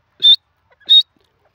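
A francolin gives two loud, harsh, high-pitched notes, each under a fifth of a second, spaced about two-thirds of a second apart, with near silence between them.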